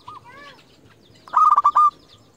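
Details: Local zebra dove used as a lure to call rivals, giving one loud burst of quick pulsed coos after a faint wavering note.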